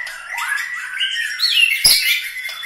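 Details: White-rumped shama, murai batu from Medan, Bahorok, Bukit Lawang, singing a brief run of rising whistles leading into a bright, sharp high flourish, then a short trailing note.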